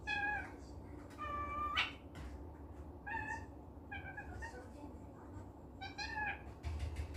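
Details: Pet cockatiel in a good mood, indoors, giving short harmonic calls that rise and fall, spaced about a second or two apart with pauses, against a low room hum.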